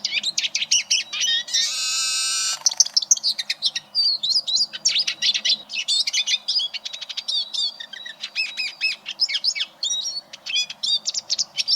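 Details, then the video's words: A Eurasian Siskin sings a fast, high twittering song of chirps and trills, with one drawn-out wheezy buzz near the start, offered as a tutor recording for training competition canaries. "Suara Burung Eurasian Siskin"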